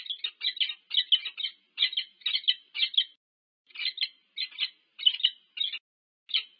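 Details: Meeting of a wild peregrine falcon pair at the nest, UC Berkeley, USA, 25 August 2023, via a nest cam: quick rasping double notes run together, then a pause and sparser grating calls.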